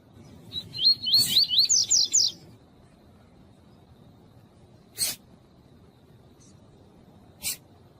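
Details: Double-collared seedeater (coleiro tuí-tuí) warm-up recording of males with a female calling, kept birds for song tournaments; a quick two-second run of wavering, looping whistled notes climbing in pitch, then a few sharp broadband clicks.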